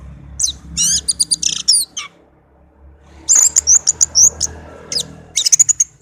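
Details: Orange-headed thrush, a tame pet bird, singing loud high chirping phrases in rapid bursts, including a fast run of sharp whistled notes, over a faint low background hum.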